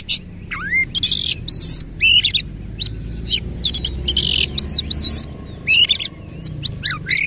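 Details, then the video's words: Oriental magpie-robin bursting into rolling song with its tail spread wide: loud, varied whistles, wavering high notes and rasping buzzy bursts in quick succession, with a faint low hum underneath. "KACER GACOR NEMBAK NGEROL FULL BUKA EKOR"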